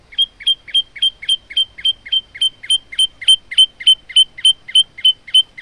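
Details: Rapid, very regular high chips from a male olive-backed tailorbird used to train other birds: about twenty sharp notes in under six seconds, steady and insistent, on a clean, quiet background.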